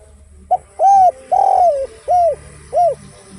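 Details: Singing derkuku, a spotted dove, in the 'kuk 1' or kuk-less style: five coos in one phrase. A short note, an arched coo, a long rough coo gliding downward, then two arched coos, with a low background hum.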